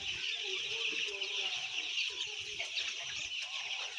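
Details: A crowd of roughly ten thousand white chicks peep together in a constant shrill wash of sound, with scattered lower cheeps throughout.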